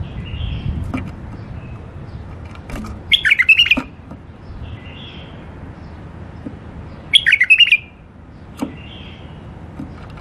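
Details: Tame caged bulbuls singing: two short bursts of rich, warbled, bubbling notes about four seconds apart, with a few softer single notes in between over a low background rumble.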